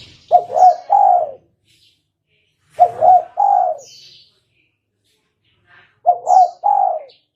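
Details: Lure call of a spotted dove, used to attract birds for trapping: three mellow coo phrases of two quick notes and a drawn-out third, with thin high chirps from small birds between them.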